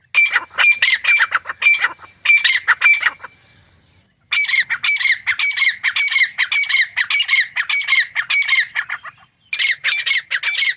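A grey francolin gives loud, harsh, high-pitched notes, two or three a second, in bursts that pause briefly before starting again.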